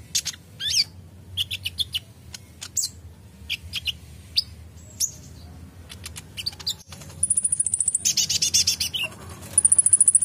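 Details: Van Hasselt's sunbird, an untrained bird reacting to a vocal bird's song: varied thin whistles and chips at first, then rapid high trills pulsing about four times a second.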